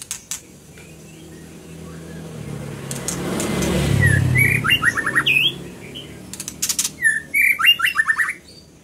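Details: A passing vehicle rumbles and fades, then a scarlet minivet gives two phrases of bright whistles, each ending in a fast series of falling slurred notes, between crisp clicking sounds.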